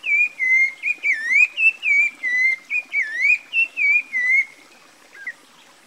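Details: A Rufous-bellied Thrush (Turdus rufiventris, sabiá-laranjeira) in Brazil sings a clear, mellow run of whistled phrases, each rising and falling, about three a second, then pauses before a last soft note.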